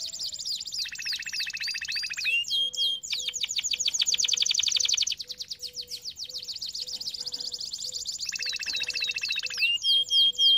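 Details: Canary training song: high rolls alternating with a lower buzzy trill, long fast passages of rapid repeated notes, and a soft faint low tone repeating in the background.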